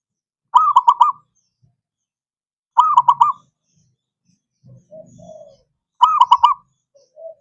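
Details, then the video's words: Zebra dove song used as a lure to prompt silent, reluctant doves to sing: three bursts of rapid, staccato, bubbling coos, each about half a second long and repeated every few seconds, with softer low coos between them. "Pancingan Ampuh!!! Untuk Perkutut BISU 🔇 Malas Bunyi❗"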